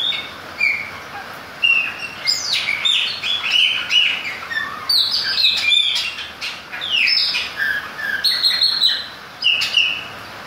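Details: A Chopi blackbird sings in the rain, pouring out a varied run of loud, clear whistles and slurred notes that sweep up and down, with short buzzy bursts and brief pauses between phrases.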